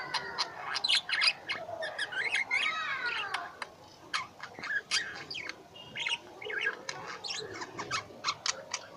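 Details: Kept lovebirds calling together, a busy mix of thin piercing chirps, short squeaks and a few buzzy descending rattles, steady chatter throughout.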